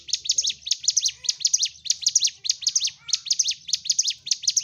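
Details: Sunda warbler singing a lively fighting-style song meant to stir other birds into singing: continuous bursts of thin, high-pitched chirps and quick downslurred notes, grouped in rapid clusters roughly every half second.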